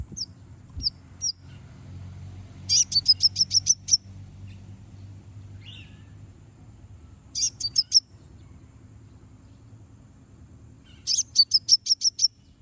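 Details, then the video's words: Konin lure song to provoke rivals: three bursts of rapid, very high, sharp chirps, each about seven or eight notes, separated by quiet gaps, with a few faint scattered notes at the start. "Konin bunyi manggil lawan"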